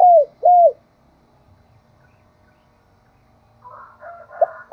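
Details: Spotted dove kept as a decoy, calling with two round, falling coos near the start, then a pause and some softer mixed sounds toward the end.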